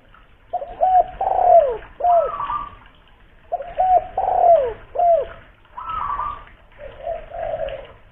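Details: Local spotted dove with a big voice, used as a lure in Kuningan, West Java, repeats the same coo phrase twice: short hooked notes, a long falling coo, then a higher steady note.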